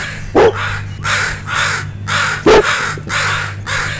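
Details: Angry crows mobbing a dog near two juveniles learning to fly; loud raspy caws repeated roughly twice a second, each one harsh and broad, interrupted by two sharp close knocks, steady low hum behind.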